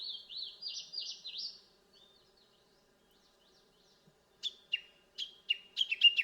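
A Japanese bush warbler gives a quick, high, rippling warble, then after a pause a run of sharp, bright notes that drop in pitch. No other clear sounds.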